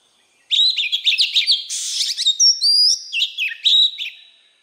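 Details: Wild-type voice of an Oriental magpie-robin: rapid chattering notes, then a harsh rasping burst, followed by clean rising whistles and further warbled, jumping phrases before trailing off.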